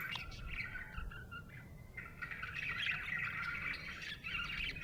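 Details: Happy budgerigar chirping in a steady, busy chatter of buzzy warbles and short squawky notes around the middle register, with a low rumbling background hum.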